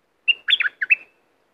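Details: Bulbul from southern Thailand singing to stir up birds for trapping: one quick, melodious whistled phrase, a clear opening note followed by tumbling, slurred liquid notes, ending in a drawn-out fading whistle.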